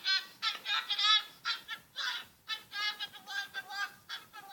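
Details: A parrot calling excitedly: loud, rasping, nasal honk-like squawks rich in harmonics, delivered in uneven bursts roughly once a second, some notes stretched and wavering.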